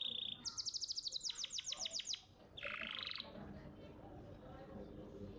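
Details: Contest-champion canary in master song: quick repeated whistled notes descending into a rolling trill, then a rising buzzy phrase before the singing fades into low background noise.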